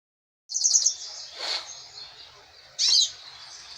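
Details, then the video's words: Caged goldfinch held in the hand sings short, high twittering bursts, a bright trill at the start and another near the end, with quieter chatter between in a quiet setting. "Pintassilgo cantando"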